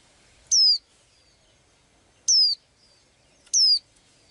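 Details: Tiny blue-eyed bird singing: three clear, shrill, downward-sliding whistles spaced one to two seconds apart, each followed by a soft fading trail, in an otherwise quiet setting.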